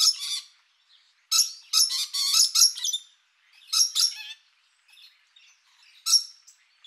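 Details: Rainbow lorikeets, colourful parrots often in loud fast-moving flocks, giving harsh broadband screeches in bursts: a short one, then a dense cluster around one to two and a half seconds, another near four seconds and a last near six.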